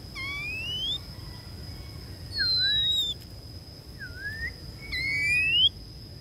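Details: A female Oriental magpie-robin used as a decoy calls to lure wild birds in, giving clear slurred whistles, some rising and some falling, in three bursts about two seconds apart over a steady high electronic whine.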